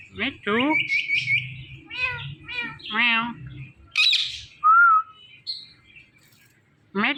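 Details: Ringneck parrot talking and repeating its name: quick run of squeaky, speech-like syllables, a harsh high burst, then a short clear whistle and a final voice-like note after a pause.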